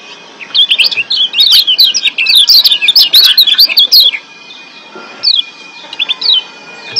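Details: Several wild Lombok white-eyes sing together to excite birds into breeding condition. A long, dense burst of sharp, high, rising and falling chirps runs for about three seconds, then thins to a few isolated notes.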